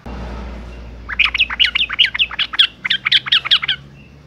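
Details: A breeding-condition female sooty-headed bulbul calls to attract males, a sound used to lure males into song: a clear, rapid string of bright, sharp chirping notes lasting nearly three seconds over faint low hum.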